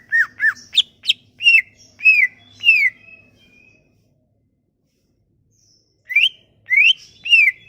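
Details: Lure song of the Sumatran leafbird meant to make leafbirds sing: rapid whistled notes, some rising and some falling, a silent gap of about three seconds, then three more rising-and-falling whistles; a low hum underneath.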